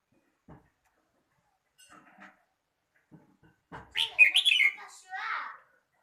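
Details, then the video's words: Red-whiskered bulbul singing a quick phrase of bright liquid whistles, rising and falling, preceded by faint clicks and soft scattered noises and ending in a slurred lower note. "chào mào hót"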